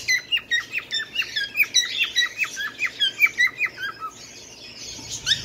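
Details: A Bengalese finch delivers an even string of sharp falling chirps, nearly three each second for four seconds, ending in softer hissy notes.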